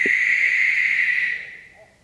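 A Barn Owl gives one long, harsh, hissing screech, held steady for over a second before trailing off; a faint click opens it.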